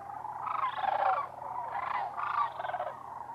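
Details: Sandhill cranes in their Arizona winter home, Whitewater Draw, more than 20,000 birds. Three strong bursts of rattling, trumpet-like calls rise and fall over a background crowd of cranes.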